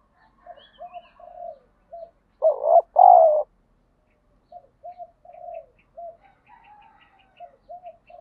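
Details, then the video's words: Spotted dove cooing in decoy training to provoke a fight; one loud two-part phrase, a wavering coo then a longer falling coo, set among quieter, repeated short coos from a second dove before and after. "chim cu gáy thúc đấu, tiếng chim cu gáy kích bổi rất lẹ nổi, tiếng chim cu gáy luyện mồi hàng ngày"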